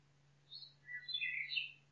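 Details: Forest nightingale song: a high thin note, a lower chirp, then a fast, dense run of warbling twitters, set against a soft hiss and steady low hum.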